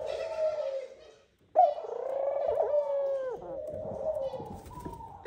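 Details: At the nest, a male Eurasian collared dove courts and calls the female in with long, hollow, moaning notes. A first drawn note fades, and after a brief silence a second, longer one swells and slowly tails off.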